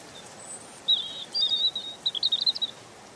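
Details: Gentle European robin song: a very high thin note, then a flowing warbled phrase of rapid, slightly wavering notes that quickens toward the end, above faint hiss.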